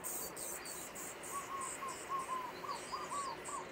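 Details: Young common starlings kept in a cage in Liepāja, Latvia, in May 2024: hissy, harsh bursts repeat about once a second over a line of short whistled notes, with city noise in the background.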